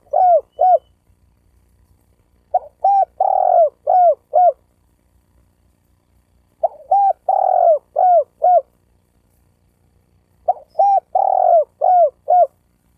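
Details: Spotted dove cooing to provoke males and females into fighting. Phrases repeat roughly every four seconds, each with short lead notes, one long throaty coo and two quick falling coos, in a quiet setting.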